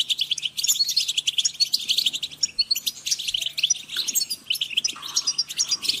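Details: Goldfinch group calls, a European goldfinch chorus for encouraging birds: fast, overlapping high chirps and liquid twitters in continuous bursts, with a faint low hum beneath.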